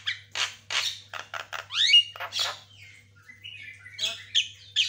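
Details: Caged white-rumped shama in vigorous training song, harsh buzzy bursts and rising slurred whistles followed by softer thin warbles, steady low hum behind.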